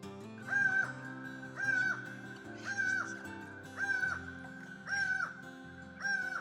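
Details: A laughing falcon in the Pantanal, Brazil, gives loud, hoarse, slightly arched calls, repeated about once a second, over steady background music.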